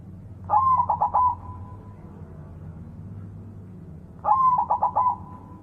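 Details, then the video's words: Perkutut putih, a white zebra dove, delivering two clear song phrases: each starts with a soft rising coo and then breaks into four or five rapid, rolling pulsed notes, with a quiet pause of about three seconds between phrases. "Suara Perkutut Putih Super Gacor"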